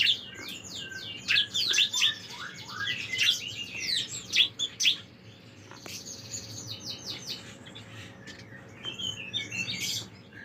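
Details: Master recording of bar-winged prinia song for training songbirds. A dense run of high, twittering chirps fills the first five seconds. Sparser, fainter chirp phrases follow over a low constant hum.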